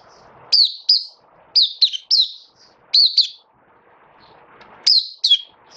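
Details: Captive Oriental white-eye singing after a major moult on 26 January 2023: high, thin, sweet twittering chirps in quick pairs and short bursts, with gaps between phrases.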